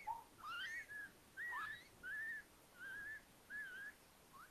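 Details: Little owls at an attic nest in a house at Tiszalök, Hungary, near Hortobágy National Park, with four newly hatched owlets, May 3, 2022. Clear whistled notes, some rising and some wavering, repeated about once a second.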